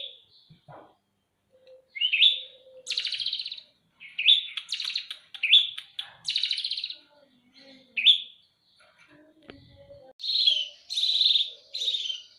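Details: Fighting Eurasian tree sparrows uttering scratchy, buzzy chirps in irregular groups of two or three, with brief pauses and a faint thud.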